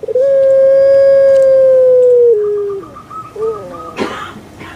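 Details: Kept puter pelung dove, Java, Indonesia: one long sustained pure-toned coo lasting over two seconds, stepping lower, then quick broken gurgling notes and a brief noisy rustle.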